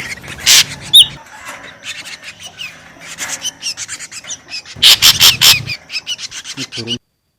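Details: Ashy drongo lure sound: irregular loud scratchy bursts and short whistles, a quieter stretch of chattering notes, then a dense cluster of harsh calls before an abrupt stop.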